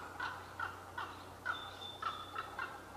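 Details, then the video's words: Two common ravens heard, not seen, among trees at Qualicum Beach on May 23, 2011. Six short, hollow, gulping notes spaced about every half second, with a thin high whistle behind them. "Two Unseen but Loquacious Ravens Conversing in Qualicum Beach May 23, 2011"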